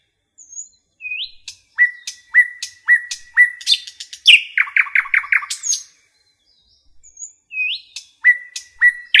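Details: Common nightingale sings in forest with a rising whistle, a series of sharp notes each ending on a steady tone, clustered clicks, and a fast run of loud chirps. A pause follows before the pattern repeats.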